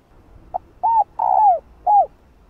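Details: A female spotted dove coos to stimulate males. One phrase: a short clipped note, an arched coo, a longer coo that slides downward, and a closing arched coo.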